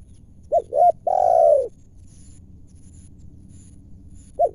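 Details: Wild spotted dove calling near a decoy as it is trapped in Indonesia; a single phrase of two brief low hoots and a long downward-sliding coo, then silence and the start of another note.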